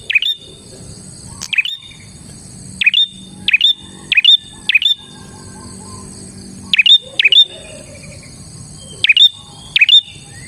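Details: Bar-winged prinia, in energetic gacor form, recorded as a lure for its own kind: roughly eleven clipped, high chirps, each snapping down then up, grouped in short runs separated by quiet gaps, thin electronic-like whine underneath.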